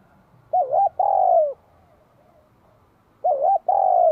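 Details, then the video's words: Vietnamese spotted dove giving bell-voiced song in spring 2023: two phrases nearly three seconds apart, each a quick quavering coo and then a long, smooth coo sliding gently downward. "CHIM CU GÁY GIỌNG CHUÔNG KÍCH BỔI CỰC SUNG CHÀO XUÂN NĂM 2023"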